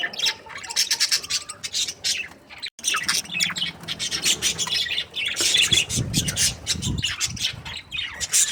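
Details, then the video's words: A group of happy budgies in a continuous chorus of rapid high chirps, warbles and harsh squawks, with a short gap partway through and a few lower rough notes mixed in later. "Happy budgies chirping sounds"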